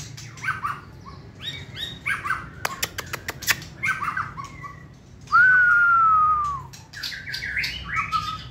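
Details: Hand-tamed white-rumped shama, a contest-singing bird, gives varied short whistled and warbled notes, a burst of sharp dry clicks near mid-clip, then one loud clear whistle sliding gently downward for over a second before softer phrases resume.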